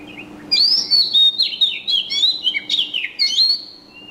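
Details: After half a second of quiet, an unbroken, loud stream of high bird chirps rolls on: rapid warbling slides and twitters pulsing many times per second, then fading with one last thin whistle.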